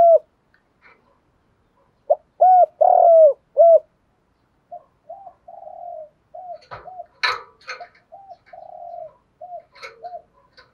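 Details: Spotted dove coo used to goad rival birds into fighting: a clear phrase of resonant descending coos, then a softer run of short muffled coos with a few knocking clicks.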